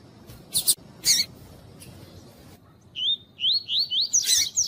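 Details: A female double-collared seedeater (Sporophila caerulescens) calling to stimulate males gives a quick run of five high, thin, upslurred chip notes, after a few scratchy high bursts at the start.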